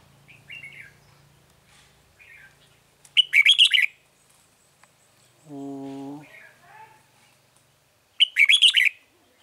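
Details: Red-whiskered bulbul song recorded during trapping of wild birds with a lure bird on 9 March 2020: two bright, chattering phrases of quick warbled notes, with soft calls between and a brief low human voice midway.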